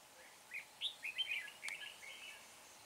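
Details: Red-whiskered bulbul serving as a trapping decoy at Hương pagoda gives a quick jumble of bright, slurred whistles and chirps in one short burst, over faint ambient noise.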